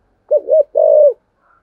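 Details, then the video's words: Spotted dove in the 'thổ sấm' voice style giving one low phrase: a wavering double coo followed by a long, level, slightly falling note. "cu gáy giọng thổ sấm bài bản đủ bài hay gáy gọi hai hậu"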